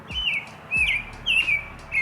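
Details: Unidentified songbird in a park on a summer day, a song new to the listener at that spot: clear whistled phrases, each a bright note that bends downward, repeated roughly every half second with brief gaps.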